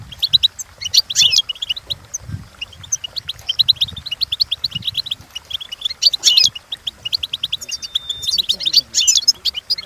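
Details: Goldfinch song for training birds to sing, from a European goldfinch: steady runs of sharp high twittering notes, with denser buzzy flourishes near the start, the middle and the end, and a short held whistle.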